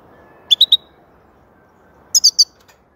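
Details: European goldfinch uttering two crisp triplets of rapid, high, clear notes, the second triplet slightly higher in pitch, about one and a half seconds apart.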